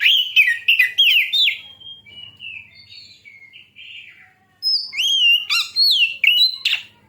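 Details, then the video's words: Oriental magpie-robin singing, a recording used to provoke other birds to sing: bursts of loud sweeping whistles and chirps, a quieter warbling stretch, a short pause, then more rising and falling whistled notes. "suara Kacer ini sangat ampuh buat pancingan"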